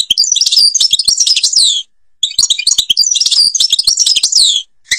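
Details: Two long, rapid phrases of bright, tinkling twitters, downslurred whistles and trills from an Algerian European goldfinch, separated by a short pause.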